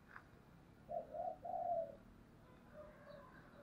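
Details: Decoy spotted dove voicing the "thúc" call to lure wild birds: a sharp note, then three rolling coos, the last one drawn out, and fainter coos trailing behind over background hiss.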